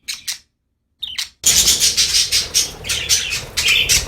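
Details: Happy budgies in loud, continuous chattering warble, a couple of brief harsh notes, a short silence, then a dense stream of overlapping squeaky chirps and whistles.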